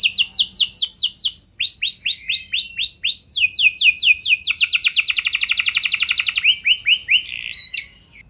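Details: Canary singing to prompt other canaries into long rolling song: repeated descending whistles in phrases, then a fast buzzy trill, ending with a few slurred notes before falling quiet.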